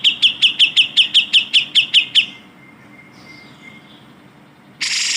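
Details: Cucak jenggot bulbul used as a tutor recording for other songbirds: a fast series of about a dozen high, sharply down-slurred chirps at roughly five per second, then a faint thin whistle, ending in a burst of harsh noise.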